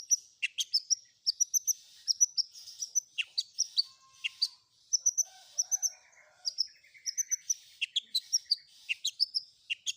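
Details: Long-tailed shrike singing a combination of fill-in phrases: a steady stream of very high, sharp notes and short whistled slurs repeated rapidly for ten seconds, with a faint lower warble in places.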